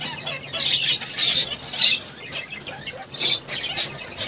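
A caique gives shrill, harsh squeals and squawks in uneven bursts, roughly two per second, with faint background noise.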